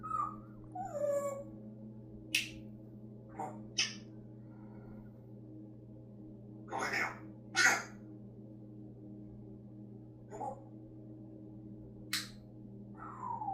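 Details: Pet parrot talking, whining like a puppy and burping; scattered short squawks, a falling whine and a few word-like sounds over a steady low hum.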